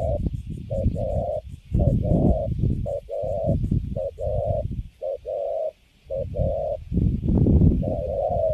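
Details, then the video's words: Spotted dove, Cấn Sấm type, wild-caught and kept in a cage, cooing described as quite good: repeated pairs of coos, a short clipped note then a sustained level one, continuing steadily with a short silent break, over heavy low rumble. "Thổ tơ Cấn Sấm, Bắt về cho vô lòng là đứng im ru. Nước Gù khá là Tốt."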